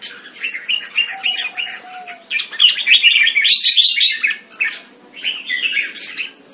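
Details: Thai-style caged red-whiskered bulbul in Singapore, 14 February 2018: quick chattering notes build into a louder burst of bubbly, slurred whistles, then a pause and a final short phrase.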